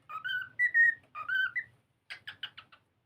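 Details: Pet cockatiel singing while playing: a short phrase of three rising whistled notes given twice, followed by five quick harsh chirps.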